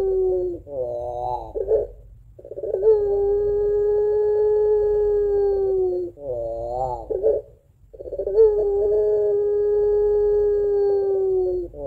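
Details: Pelung-type Barbary dove in full voice giving its long 'crying' song with two-note coo, a lure for doves at home: wavering, trembling phrases break into long, steady, drawn-out moaning notes, repeated about every five seconds.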